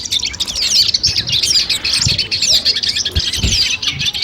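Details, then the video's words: Cendet, or long-tailed shrike, sounds used to train and test a competition bird beforehand. Fast, busy high chatter with rapid clipped notes, and a few bright whistled slurs rising and falling among them. "masteran kumpulan suara cendet tes mental sebelum lomba"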